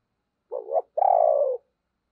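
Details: Decoy spotted dove calling so that other doves will start cooing: a wavering two-part coo, a short break, then a long, even, hollow note, loud and close against silence.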